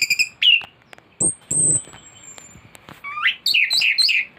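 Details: Thrush in loud, continuous teler-style song with a full set of mimicked fill-ins, recorded as master material to tutor birds and provoke singing; varied high whistles, a long thin falling whistle, buzzy bursts and rapid chattering phrases.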